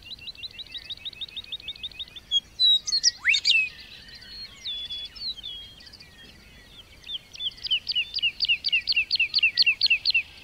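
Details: Lark singing over meadows and grasslands: a rapid, regular trill of buzzy high notes, then a burst of varied twittering and slurred whistles, then another fast repeated trill, with a faint background hiss.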